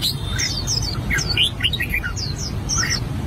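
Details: Short burst of practice song by an albino red-whiskered bulbul: a lively string of slurred, swooping whistles and chirps over a low steady rumble.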